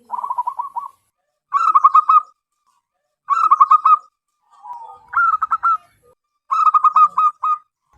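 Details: Loud-voiced wild local zebra dove used as a lure, delivering short rapid trills of cooing notes roughly every one and a half seconds, five phrases in all.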